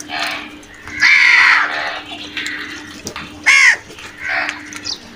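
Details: Crows at food give a couple of loud rasping caws, one long and one short and sharp, among fainter calls and a steady background hum.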